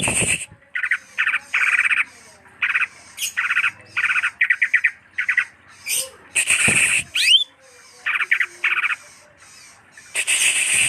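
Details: Greater green leafbird delivering short, separate bursts of scratchy chattering notes with brief pauses, a loud harsh squawk and a quick rising whistle midway.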